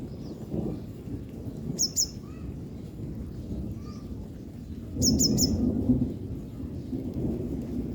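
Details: Yellow-bellied sunbird, a female drying herself after being drenched in rain, gives two short bursts of very high, thin chip notes, a few quick notes each, over a low rumble of rain and thunder.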